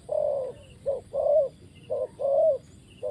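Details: Spotted dove, a decoy bird used for trapping wild doves, giving low, soft coos in paired phrases, a short note followed by a longer rolling coo, repeated about once a second.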